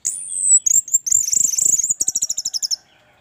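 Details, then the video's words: Orange-headed thrush singing hard, a lure track for other thrushes: a long, very high, thin sliding whistle breaking into a rapid chattering trill, then a steady series of evenly spaced high pulsed notes. "Anis merah gacor, pancingan Anis merah agar cepat gacor"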